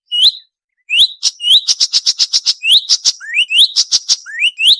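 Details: Marsh warbler song, a clean training recording for white-rumped shama and oriental magpie-robin, sharp 'nembak tajam' style: high upward-sweeping whistles alternating with a dense run of sharp, clipped ticking notes.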